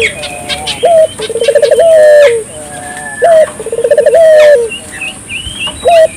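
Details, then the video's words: Dove in full voice, played to get local doves calling. Phrases recur about every three seconds: a short lifted note, a quick bubbling trill, then a sustained coo that dips at the close. Faint chirping of other birds behind. "suara burung puter gacor,merangsang burung puter lokal ikut gacor"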